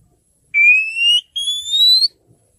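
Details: Two drawn-out clear whistles from a female Oriental magpie-robin, each rising gently in pitch, the second a bit higher than the first, as she calls to the male.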